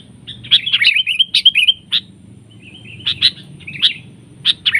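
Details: Bulbul locked in a duel with a decoy during trapping, both birds repeatedly attacking. Bubbly, whistled chattering phrases with slurred notes come in two bursts separated by a short pause.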